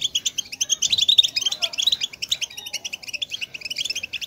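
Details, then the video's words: Bitbita of a European goldfinch, used as a trapping lure: fast, bright twitter of clipped high notes in a steady stream, with faint background noise. "بتبتة لصيد حسون صوت بيجنن"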